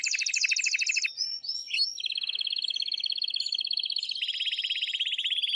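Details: Male canary's strong, excited song meant to stimulate a female: a loud doubled trill, quick slurred notes, then a long, even rolling trill that shifts slightly lower near the end.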